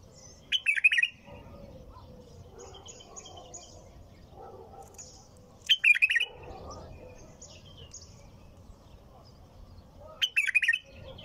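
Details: Bulbul in nonstop song: three short, rich, bubbling phrases of rapid fluty notes, repeated roughly every five seconds, with soft scattered chirps between them over a quiet low hum.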